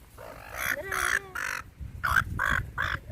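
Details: A gull in a park, one of a group being fed and described as not very tame, gives six harsh, nasal squawks in quick succession, about two per second, over low background rumble.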